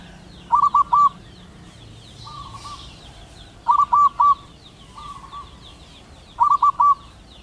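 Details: Local wild male zebra dove calling a female: three bursts of rapid rolling coos, each a cluster of three notes, alternating with quieter cooing from a second dove.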